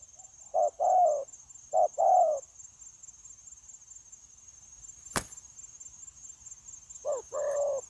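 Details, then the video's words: Wild-caught adult spotted dove from a dove-trapping recording dated 9/1/2024, giving two pairs of short-then-long coos, a sharp click, several seconds of quiet, then another coo pair, with a faint high whine throughout. "Bổi Quá Chịu Gù | Nết gù liền lạc liên tục"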